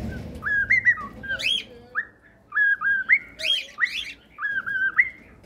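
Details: A cockatiel whistling a repeated melody of short stepped phrases, each a few clear notes rising and falling, interrupted by rough chirps, with pauses of about a second between phrases.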